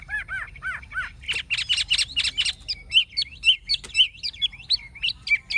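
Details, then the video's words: Adult wild-caught hwamei with a true forest voice: four arched whistles, then a burst of loud clipped notes and a string of sharp rising whistles repeated about twice per second. "Họa mi già rừng chuẩn giọng rừng hay"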